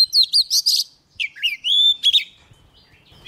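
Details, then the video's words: Oriental magpie-robin, young bird singing hard as a wild bird comes near; rich varied whistles and warbles, fast looping phrases followed by a long clear whistled note and sliding notes, then quieter twitters. "Choè than non lên hót cực sung khi bổi đến gần"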